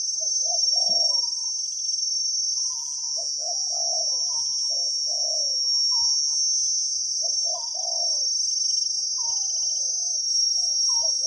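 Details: Wild spotted dove with a big, deep voice, singing the 'khu ang' coo style during decoy trapping in Thailand: low hooting coo phrases in repeated groups, under a steady high insect drone.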